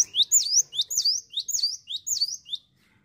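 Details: Rapid, even run of high, clear swooping notes from a cinereous tit, about ten in under three seconds, ending abruptly into silence.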